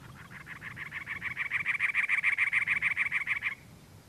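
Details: Cactus wren male calling from a perch on territory, Anza Borrego State Park, San Diego County, California, April: a fast, rhythmic string of grating chug notes building in loudness, then breaking off, with faint low rumble beneath.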